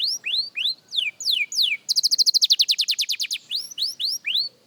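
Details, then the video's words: Song practice by a young canary: several swooping whistles, then a quick run of short ringing notes that slows, followed by more rising-falling whistles, crisp and loud. "Young Canary Singing Practice – Surprisingly Good for a Beginner!"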